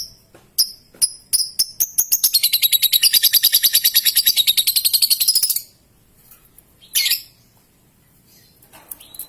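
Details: Young lovebird opening with spaced sharp ticks that speed up into a long ngekek chatter of rapid, evenly pulsed high notes lasting over three seconds, followed by a lone shrill squawk and sparse ticks.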